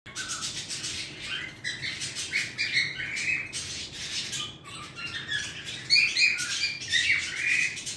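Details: Pet bird singing indoors: warbled, harmonic whistles around the mid-high range mixed with raspy, noisy bursts, continuing steadily through eight seconds with brief pauses and louder phrases near the end.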